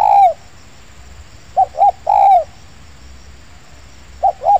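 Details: Spotted dove recorded at an oil palm plantation while luring doves: a long falling coo, then a pair of quick clipped hoots leading into another drawn coo, with quiet background between phrases.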